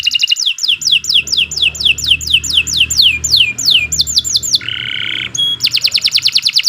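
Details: Canary singing a long continuous song: steady run of descending whistled sweeps about three per second, quicker sweeps, a buzzy harsh note, then a dense rapid trill, with low murmuring background noise.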